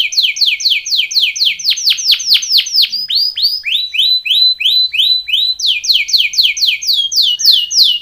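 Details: Canary singing a training song: loud, repeated downward-sweeping notes about three per second, shifting into a lower, faster phrase and then back to high sweeps, with no other sounds.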